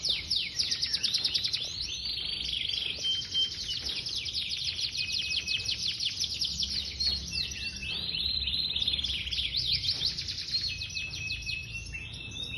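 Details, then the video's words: Long unbroken Yorkshire canary song, fast chattering trills and rapid downslurred notes rolling on for over twelve seconds, with brief whistled tones between phrases, high and energetic. "Amunisi bosku"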